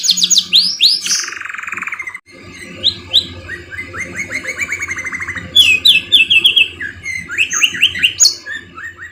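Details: Canary singing as a lure to get other canaries singing, its repertoire filled with magpie-robin phrases. Rapid sliding whistles open into long even trills, followed by fast runs of repeated chirping notes and another bright trill near the end.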